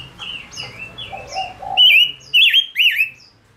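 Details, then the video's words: Singing male Gouldian finch used as a decoy to draw in wild birds: softer whistles and low cooing from other birds early on, then three loud, ringing, downslurred whistled notes in quick series. "Chim ngũ sắc mồi hót cực hay kích bổi nhanh nổi | chim ngũ sắc hót"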